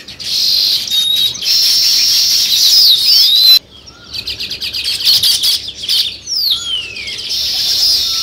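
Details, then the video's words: Sparrows chirping at a nest site where weaver birds are building nests; dense, buzzy high chatter from several birds, broken by a short pause, with a few thin rising and falling whistles over the din. "Sparrow Chirping Sounds"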